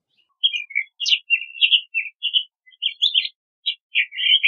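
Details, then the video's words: Crissal thrasher song, a nearly continuous run of varied warbled and whistled phrases, some slurred downward, some buzzy, delivered quickly one after another in a quiet setting. "Crissal Thrasher Song! Crissal Thrasher Sound! - Cuitlacoche Culirrojo Canto - Toxostoma Crissale"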